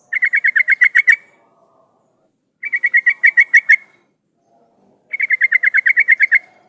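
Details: Yellow-vented bulbul song meant to draw other bulbuls into singing: three longer runs of about nine rapid, evenly spaced chirpy notes each, every two and a half seconds, clean and loud with little background.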